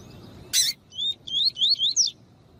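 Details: A female double-collared seedeater, whose call is used to stimulate and train males, gives a quick run of five thin, high, slurred chirps after a brief burst of noise.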